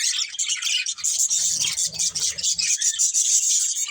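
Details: Pet budgerigars from a family group chirp without pause, a bright, dense high twitter with scratchy notes layered over one another.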